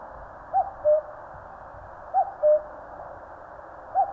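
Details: Mountain cuckoo in Korea giving its two-note call, a brief high note followed by a lower sustained one, repeated about every 1.7 seconds, with low rumbling background noise beneath.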